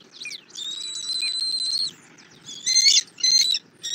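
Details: Bald eagle on a Southwest Florida nest cam, 2024-02-08 at 11:00, while an adult brings a catfish and feeds an eaglet: a long, thin, high whistle held for over a second, then shorter piercing squealing notes in quick bursts.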